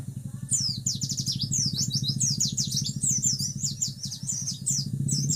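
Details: Fast, busy white-eye song of descending high whistled slurs and chips, continuous over a loud low motor drone.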